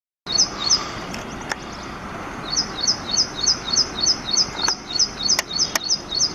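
Ashy prinia giving a fast string of high, thin chipping notes, about three a second, over a soft background hiss with a few sharp clicks.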